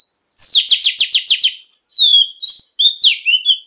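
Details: Female Oriental magpie-robin singing to stimulate males, a rapid series of about seven buzzy downslurred notes, then a pause and clear whistled slurred phrases, some falling, others rising and warbling.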